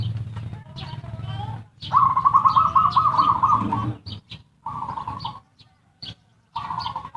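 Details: Zebra dove ngerot and kuwor style song used as a lure to arouse breeding urge and prompt lazy birds to sing: rolling runs of fast pulsed coos in several bursts, mixed with clicks, knocks and low background rumble.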